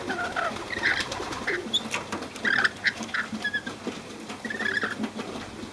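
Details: Befriended wild rainbow lorikeets in Cromer, Sydney, trading rapid shrill screeches and chattering squawks in quick clusters, some short and clipped, others drawn out, with softer lower notes mixed in.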